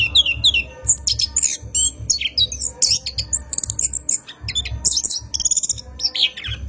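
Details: Orange-headed thrush in long rolling night song, meant as a lure for cage birds: varied high squeaks, trills and rapid chattering runs pouring out with hardly a pause, low thumping throughout.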